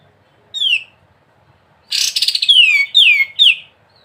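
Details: Gacor kapas tembak, a sooty-headed bulbul, in ngebren style. A lone falling whistle is followed by a pause, then a harsh buzzy flurry and three more clear whistles, each dropping in pitch.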